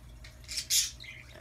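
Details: Chatty pet Amazon parrot letting out a brief, harsh, rasping squawk that rises abruptly in loudness, then trails off into a short, softer, buzzy note.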